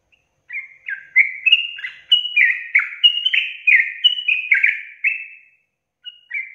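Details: Sooty-headed bulbul in vigorous long rapid song, aimed at making other bulbuls sing fast: a dense run of clear falling whistled notes, then a brief silence and the start of a new phrase.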